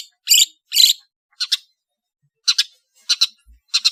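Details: Long-tailed shrike from Madura, Indonesia, singing a varied song: harsh chattering bursts and doubled scratchy notes, spaced irregularly about half a second apart.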